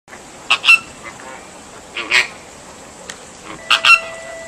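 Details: American flamingos at Ueno Zoo, Japan, in July 2014, beside a chick a day after hatching: a few short nasal honking calls in pairs, spaced out, over a steady background hiss.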